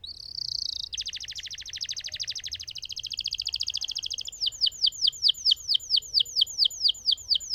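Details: Lemon canary singing a long rolling phrase: a dense rapid trill lasting several seconds, then a run of ringing falling whistles about twice per second.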